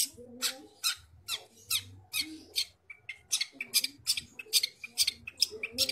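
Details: Energetic song of a long-tailed shrike from Bojonegoro: loud, scratchy high notes repeated a little over two per second, with softer rising slurs between them and low background hum.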